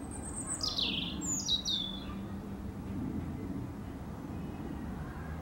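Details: European robin singing in a backyard while grooming: a few thin, high, descending whistled phrases in the first two seconds, faint against a steady low rumble of background noise.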